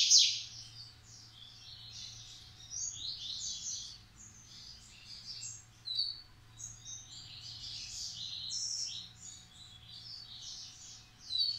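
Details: Coleiro stud male of the Massai or baiano style sings a long, fairly soft sequence of scattered chirps and buzzy bursts, with a few sharper, louder notes standing out.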